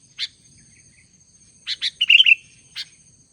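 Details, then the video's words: An albino Sooty-headed Bulbul in full voice gives sharp clipped chirps and a fast rippling warble, then a final single note, over a quiet background with a faint high steady whine. "kutilang albino gacor dor"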